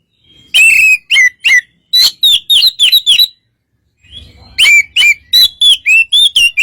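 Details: Relaxed white-rumped shama singing to draw a reply from another shama; clear whistled notes, several slurring downward, delivered in quick runs of about three per second with a pause midway.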